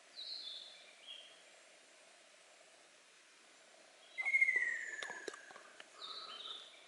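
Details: Ruddy kingfisher in dense woodland in 2014, with a bill snap heard as it closes its beak: a loud falling whistle mid-recording, with sharp clicks over it, and higher chirps from another bird before and after.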